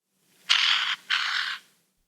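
A Western Bowerbird gives two harsh, rasping, hissy notes, each about half a second long, with a brief pause between them.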